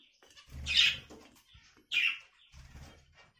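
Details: Budgerigar giving two loud, harsh chirping calls about a second apart, surrounded by faint chatter and low rustling or thumping sounds.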